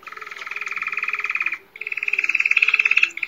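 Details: Spanish Timbrado canary giving a rodar: a rapid, hollow metallic rolling trill, a steady 'ro-ro-ro' pulsing about ten times a second, like continuous striking of metal, with a brief break before it resumes.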